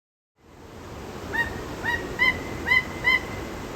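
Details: Captive Peruvian thick-knee at a zoo giving a series of five clear, whistled notes. Each note rises briefly and then holds level, spaced about half a second apart, with steady background hiss.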